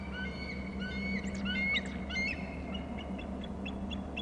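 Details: Bald eagle calling on Hornby Island from a nest and territory camera as a third eagle arrives; thin, high piping notes come in short bursts over a steady low hum.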